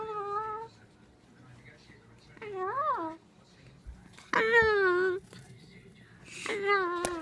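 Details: Pet Moluccan cockatoo talking indoors, giving several separate word-like utterances, some flat, some arching up and down, a few loud and drawn out, with quiet gaps between them.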